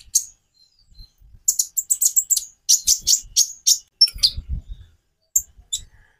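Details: Konin sunbird singing a rapid, high, jingling twitter that runs steadily for about two seconds, then breaks into thin separate chips, with a soft low rumble in the background.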